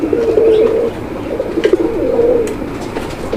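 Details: Male Moyna Jhak pigeon, a black domestic breed, from a caged breeding pair at a pigeon farm in Chandra, Kaliakair, Gazipur, Bangladesh, May 2025, giving low throaty coos, several drawn-out rolling phrases, with faint clicks and background chatter.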